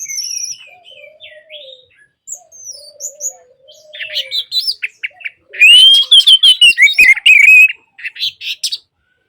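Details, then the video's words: Orange-headed thrush song, played to bring silent birds back to song. Soft high whistles and a lower warbled phrase come first, then a loud, rapid burst of varied whistles and chatter. "Terapi Anis Merah Bisu | AM Macet Jadi Gacor Coba Di Putarkan Suara AM Ini"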